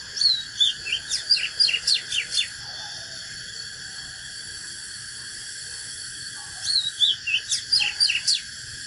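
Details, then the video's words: Fighting song of a natural Oriental magpie-robin: two bursts of quick whistled, swooping notes, each lasting about two seconds, separated by a long quiet gap with a constant high background hum. "KÍCH LỬA chòe than || Chích chòe than HÓT ĐẤU CHIM TỰ NHIÊN"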